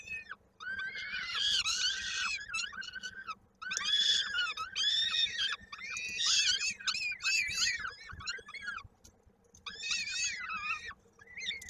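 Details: Young peregrine falcon at its nest, Koszalin, Poland, 16 May 2022, calling while fed, its foot lodged in a beak. Long runs of raspy, arching screams rise and fall, broken by a few brief gaps.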